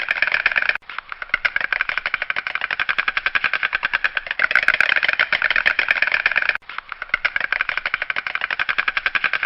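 A stork gives a fast, dry, wooden rattle of rapid clicks, sustained for several seconds with two brief breaks. No other sounds stand out.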